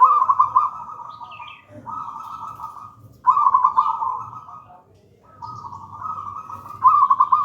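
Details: Local wild zebra dove, gedang rojo style, singing actively as a lure and master song: bubbling, warbled coos near one pitch, phrases about a second long repeated with short gaps, one longer pause midway, faint low hum beneath.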